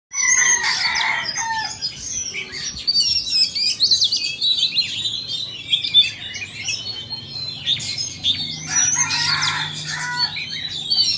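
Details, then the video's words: Two Oriental magpie-robins, one Vietnamese and one Indonesian, singing against each other in a contest: dense, overlapping streams of bright whistles and chattering phrases, with a louder burst at the start and again near the end. "Chòe than VN đấu với Chòe Than Indo"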